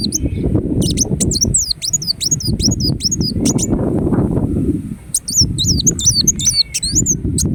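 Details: High, thin, bending whistles and quick ticks from a ruby-cheeked sunbird in Indonesia, delivered in bursts separated by short gaps, accompanied by loud low rumbling or fluttering noise.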